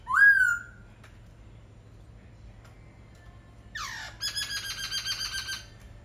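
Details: Laughingthrush giving one clear rising whistle, then after a gap a steep downward sweep followed by a rapid buzzy, pulsed trill lasting over a second.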